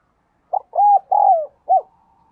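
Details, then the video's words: Captive spotted dove kept as a decoy, calling to draw in wild doves; a single loud phrase of a quick introductory note, two sustained mellow arched coos and a short final coo, ending in a faint trailing tone. "Chim Cu Mồi Thúc và Gáy Gọi Bổi"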